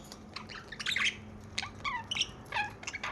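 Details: Caged pet budgerigar warbling quick chattering phrases of short chirps and twittering notes, some sliding downward, delivered in rapid bursts with brief gaps and faint background hum.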